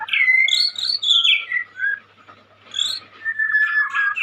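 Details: Young white-rumped shama, a caged Indonesian songbird, giving clear whistled phrases that slide down in pitch, a short pause, then a buzzy slurred ending.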